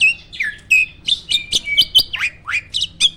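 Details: Starling raised for songbird contests gives a quick sequence of loud, clear whistles, some rising and some falling, roughly three notes each second.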